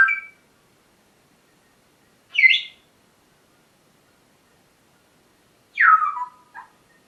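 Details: Pet parrots vocalising in the morning: three separate harsh, bright calls spaced a few seconds apart, the last sweeping downward and followed by a short note, with silence between and no other sounds.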